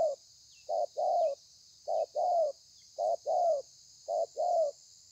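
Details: Wild-caught spotted dove giving its thổ pha song, recorded 30 November 2020: paired mellow coos, brief then drawn-out, repeating evenly about every second against a constant high background hiss.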